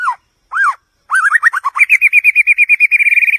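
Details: A White-rumped shama (Copsychus malabaricus) sings two rich, arching whistles, then quick varied notes ending in a fast, even trill of about fourteen bright notes, against a quiet background.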